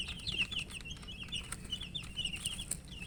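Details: Baby chickens chirping from thirst for water as they eat, giving many quick high peeps in overlapping runs, joined by sharp pecking clicks and a steady low hum underneath.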